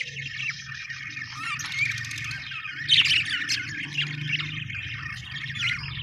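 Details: Budgerigars chirp and warble in soft overlapping chatter, with a louder scratchy burst partway through and a low hum behind.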